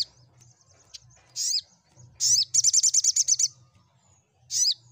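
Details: Sunbird song meant to make mute birds respond; high sharp chips, then a quick rattling trill of about ten notes, and a final loud chip after a pause.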